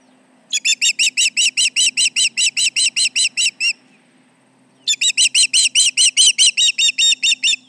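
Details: Alarm calling by an osprey at its Charlo nest as intruders come near, 11:30 am, July 29, 2019; a long series of sharp, piercing whistled notes, a short silence, then a second, louder, more strained series at the same quick pace.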